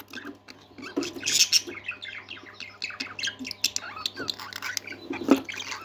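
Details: Pet parakeets sing happily with a mix of harsh squawks, chirpy warbles and clicking chatter, one loud squawk near the middle rising above the rest, over a low electrical hum.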